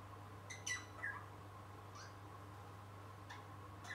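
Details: Young pet rosella, a parrot chick, playing and trying to sing indoors: a few short, sharp chirps and squeaky notes with harmonic overtones, clustered early then scattered singly, over a steady low electrical hum.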